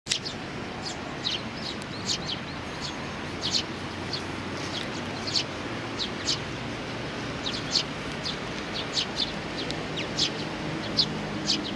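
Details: Sparrows with a chick, recorded 3 July 2019: short high chirps repeated irregularly through the whole stretch, several birds overlapping, over a steady low outdoor hiss.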